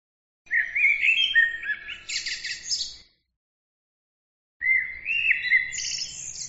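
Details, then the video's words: Bird pouring out quick twittering song in two phrases: rising whistled notes lead into dense, scratchy high trills and chirps, with a pause of over a second between them. "bird عصفور"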